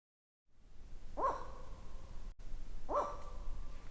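Ural owl giving two harsh, bark-like calls about two seconds apart, each a short hoarse note, over a low background rumble.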